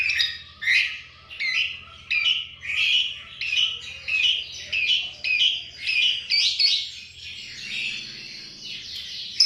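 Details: Asian pied starling singing with lovebird chattering ('ngekek') imitation locked into its song: a run of short, harsh, chattering bursts repeated roughly every 0.6 seconds, ending in a higher, smoother rasping phrase, with a steady low hum underneath.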